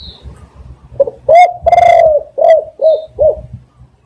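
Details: Spotted dove recorded as a lure for trapping doves. It gives a full cooing phrase: a soft lead-in, a long swelling middle coo, then three shorter, evenly spaced descending coos. A faint high chirp is heard early on.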